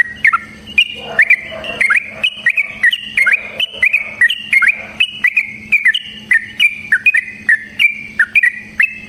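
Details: Caged sooty-headed bulbul giving a varied lure song to prompt other bulbuls: continuous lively run of bubbly, chattering notes, up and down, several per second for nine seconds, steady faint hum beneath.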